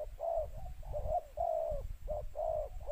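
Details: Calling spotted dove used to attract wild doves, two-note style: warm, hollow coos with slightly rising then falling shape, repeated closely, amid steady low-frequency rumble.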